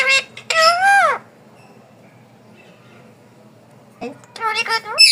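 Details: A pet talking parrot mimicking speech: two bursts of harsh, speech-like squawks with bending harmonic tones, the first rising then falling, separated by about three seconds of quiet indoor room sound.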